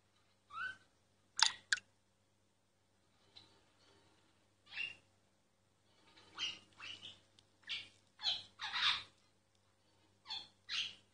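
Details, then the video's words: Singing myna, recorded discreetly, gives scattered harsh squawks and sharp clicks separated by silences, then a closer burst of rough notes near the end; faint steady hum beneath. "Mynah singing"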